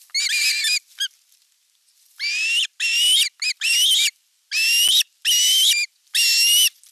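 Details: Ospreys on a camera-watched nest in Satakunta, Western Finland, 5 August 2024, while the elder chick attacks the younger during a fish delivery: long, loud, wavering whistled screams, each under a second, repeated after short gaps.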